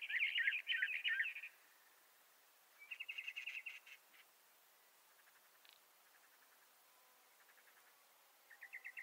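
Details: Bendire's thrasher giving short bursts of fast, buzzy warbling, about a second and a half each, separated by long quiet gaps with a few faint scattered notes between them.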